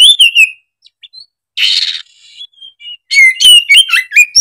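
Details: Oriental magpie-robin giving a whistled slur, then a harsh raspy burst, a few soft notes, and a final rapid run of high chirps and whistles.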